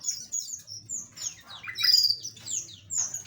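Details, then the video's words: Small aviary birds twitter in a quick run of high whistled and downslurred chirps from several birds, over a faint low hum. "Relaksasi Suara Burung Asli - Jenis Burung Aviary Kecil"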